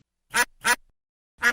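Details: Domestic duck on a farm giving three harsh, nasal quacks, two close together and a third after a pause of nearly a second, with no other sounds behind them.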